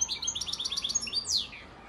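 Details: Song phrase of a European goldfinch father bird from Antalya, Turkey, 2018: quick tinkling repeated notes followed by a bright downward-slurred sweep, with little else audible.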